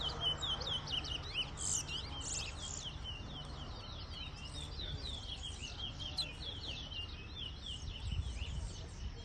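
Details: Competition song of a towa towa at a bird race in Berbice, Guyana, where songs are tallied: long run of rapid sharp chips and slurred whistles with a few louder buzzy bursts, low hum and people speaking behind.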